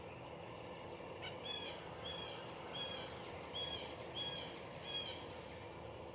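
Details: Cooper's hawk between bouts of preening gives six loud, harsh, slightly down-curved notes about two-thirds of a second apart, over a constant low rumble.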